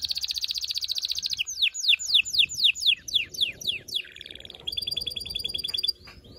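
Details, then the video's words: Loud canary singing to excite males and females before mating: rapid high trill, a row of steep descending sweeps, then a buzzy note and a steady pulsed trill with faint low noise. "غناء طائر الكناري لتحفيز و تحضير الاناث و الذكور للتزاوج و تغريد المستمر"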